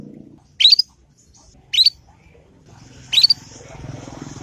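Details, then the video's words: Young Yorkshire canary practising ngriwik notes, played so other canaries respond and copy. Three sharp, quickly rising chirps come roughly a second apart, followed by faint background hiss. "Kenari Manapun Pasti Nyaut dengan pancingan masteran kenari paud ini"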